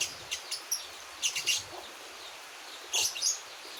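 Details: Young Javan white-eye about one month old practising its song: brief high twittery notes in small clusters, a quiet gap, then a final burst of thin chirps.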